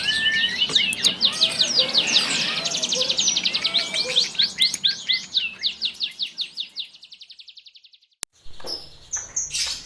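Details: Grey-cheeked bulbul giving rough, closely packed song: harsh high chattering that settles into a rapid rattle of about three notes per second, fading out, then a click and a burst of hiss and chatter.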